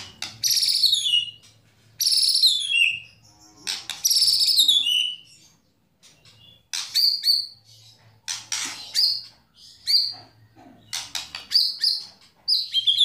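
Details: White-rumped shama singing 'kretekan' and 'tembakan' phrases meant to rouse other shamas: loud bursts of high descending notes with pauses, later short piercing whistles and clicks repeated irregularly, with a faint low hum behind.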